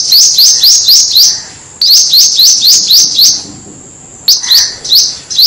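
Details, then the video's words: A clean, noise-free lure recording of a Black-throated Sunbird giving high, thin, sharp notes about four per second in quick bursts separated by short pauses, over a quiet background. "Hút mật họng đen, tiếng hút mật họng đen chuẩn không tạp âm"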